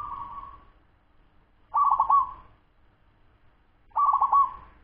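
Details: Ten-month-old local wild-type zebra dove giving a fast cooing song: low, mellow phrases, each a soft held coo that breaks into a quick stuttering burst of notes, repeated roughly every two seconds over faint low background hum.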